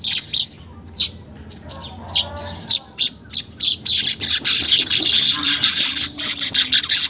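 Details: Weaver song, unedited, used as a lure to get caged weavers chattering and singing quickly: short high buzzy bursts about every half second, then a continuous sizzling chatter from midway.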